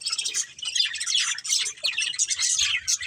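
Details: Continuous budgie chirping from a breeding pair: tumbling high twittering and squeaky warble that rises and falls without real breaks.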